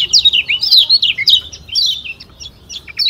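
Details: Kecial kuning, the Lombok white-eye, singing a strong, full song: quick high twittering phrases of slurred chirps, run close together, thinning to scattered notes near the end.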